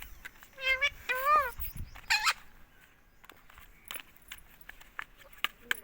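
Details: Pet ringneck parakeet in India speaking "mummy": two close, buzzy word-like calls with a falling then rising pitch, followed by a harsher scratchy note, then quiet with scattered clicks.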